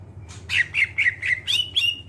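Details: Greater green leafbird, song used to coax other birds into singing: harsh squawky notes in a short quick series, ending in thin whistled slurs, over a low hum.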